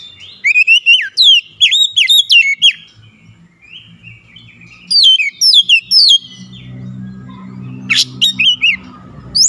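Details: Oriental magpie-robin tirelessly delivering its learned repertoire: fast series of loud, descending whistled notes in several bursts, with a low hum building in the background toward the end.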